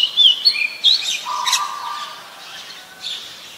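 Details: An Oriental magpie-robin (Copsychus saularis) singing in the wild gives quick, varied phrases of clear whistles and slurred rising notes, with a low, steady tone humming briefly beneath them.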